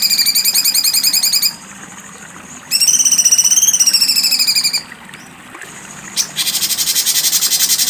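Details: Cucak cungkok giving sharp besetan phrases: rapid buzzy pulsed trills repeated in bursts of about one and a half to two seconds, separated by pauses, ending with a harsh rattling burst.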